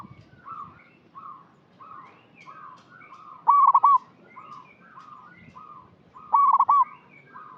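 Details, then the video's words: Zebra dove for luring, several doves giving soft repeated coos in the background while a loud, bright rippling trill sounds twice, about three seconds apart. "Perkutut lokal gacor suara cocok untuk pancingan yang masih bahan"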